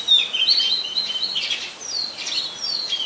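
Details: Oriental magpie-robin, Ubon Ratchathani, Thailand, 24 December 2020: a loud rich whistled phrase of steady and falling notes, followed by two clear downslurred whistles.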